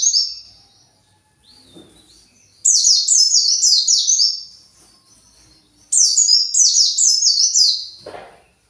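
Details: Captive white-eye, worked up and looking for its flock, pours out two long phrases of rapid, shrill, down-slurred chirps about a second and a half each, separated by silence.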